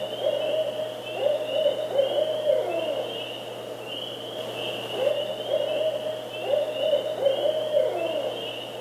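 A Barred Owl gives three rhythmic series of deep, resonant hoots, the familiar 'who cooks for you' phrasing, ending with a drawn-out, descending note. A faint steady hum underlies it.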